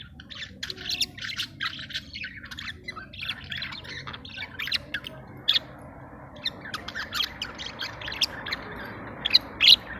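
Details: Budgerigars in breeding condition in a cage during mating and food regurgitation; fast, scratchy chatter and sharp clicks over a steady low rumbling background, with a few louder squeaks near the end.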